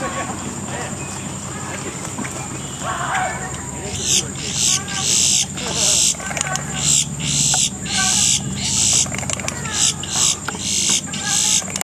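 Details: Boat-tailed grackles in a palm tree at Green Key beach, New Port Richey, Florida, on a balmy summer afternoon give harsh, rasping bursts about every second, over a high insect whine and a low rumble.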